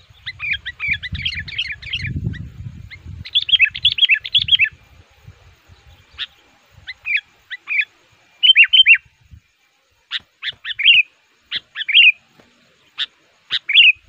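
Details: Sooty-headed bulbul kept as a lure for wild males in the forest, singing actively against a rival. Rapid chattering runs at first, then spaced short bubbly phrases and single chips, with low rustling early on.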